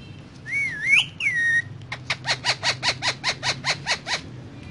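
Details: Parrot on a table with other parrots gives a wavering looped whistle, then a rapid series of about a dozen short harmonic chatter notes repeated steadily, roughly three per second.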